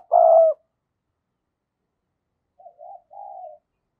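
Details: Spotted dove decoy giving its luring coo. A loud, sustained mellow note opens the recording, and after a pause a softer three-note coo follows: two brief notes and a longer one.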